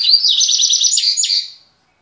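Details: Double-collared seedeater from a Salvador, Brazil breeding aviary, singing again after three months: a high, rapid trill of evenly repeated buzzy notes ending in a few falling slurred whistles.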